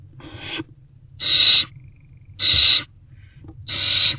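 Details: Owls in a nest box on the night of 16 March 2024 after a mouse is delivered. One softer hiss is followed by three loud, rasping hisses about a second apart, some with a thin whistled edge, over a low hum.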